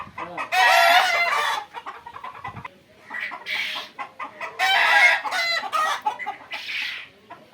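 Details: Egyptian Fayoumi chickens at a farm in Bakshiganj, Bangladesh: two long harsh rooster crows a few seconds apart, each answered by a shorter hoarse crow, with soft clucking in the pauses.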